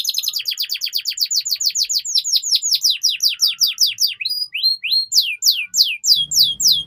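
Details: Canary master song used to train young canaries to sing quickly: a long series of clear downward-sweeping whistled notes repeated about twice per second, later spaced into slurred upward notes, with a faint low hum at the end.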